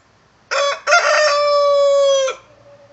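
A rooster gives one full crow, two short harsh notes and then a long held, slightly falling cry that lasts over a second. No other sounds stand out.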